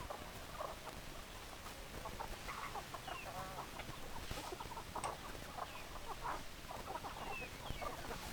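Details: Chickens clucking among a busy background, scattered short notes and a few higher squeaky calls, with steady hiss and occasional clicks.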